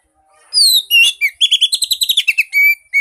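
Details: Oriental magpie-robin song played to make a silent bird sing. Long downslurred whistles lead into a fast, trilling rattle of repeated notes, closing with two sustained pure whistles.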